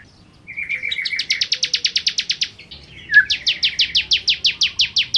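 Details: Bar-winged prinia, called ciblek kristal, in spirited 'nembak' song: a short buzzy lead-in followed by an even, metronomic string of sharp high chips, about three to four per second, in two runs.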